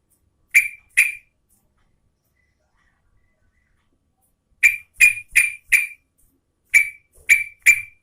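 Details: Yellow-vented bulbul, a female calling to a male, gives two quick chirps, then a pause of about three seconds, then runs of three to four sharp, bright notes in close succession. No other sounds.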